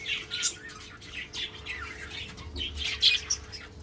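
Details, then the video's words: A breeding group of budgerigars in 2026 makes soft, warbling chirps that rise and fall, with a few sharper squeaks near the end and low background hum. "Budgies Breeding Progress 2026"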